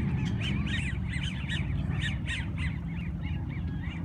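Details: Ducks of unknown breed, not mallards, making squeaky rubber-duckie-like calls outdoors: a string of brief high rising-falling squeaks, several per second, with heavy low-pitched background rumble.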